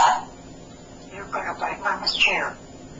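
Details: Super chatty male pet African grey parrot speaking indoors: a brief high note, then several quick speech-like syllables with vowel-like tones, ending in a sharp downward-sliding whistle.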